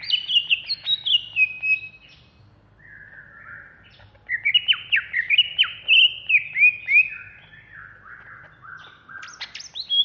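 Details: Caged greater green leafbird from Alas Purwo, a contest-ready bird singing agitatedly (ngamuk) in Jatiasih, Bekasi. It gives loud, clear whistled phrases that swoop and slur downward, in bursts separated by quieter warbling, over a faint low hum.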